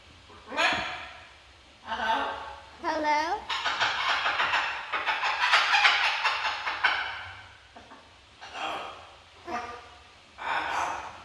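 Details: A pet macaw talks indoors in hoarse, raspy word-like bursts, a few phrases over ten seconds, trading back and forth with its owner's voice.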